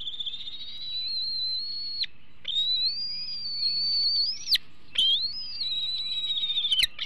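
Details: Young bald eagle in its Hanover nest, 2021, days before fledging, showing possessive food aggression: long thin high whistled whines that rise and dip, broken by short pauses, with a faint steady hum behind.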